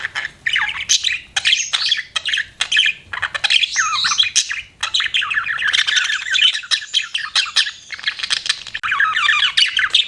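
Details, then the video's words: Pet budgerigar in a long chirping session, continuous buzzy warbling chatter laced with quick squeaks and trills, barely pausing for ten seconds. "BUDGIE CHIRPING SOUNDS"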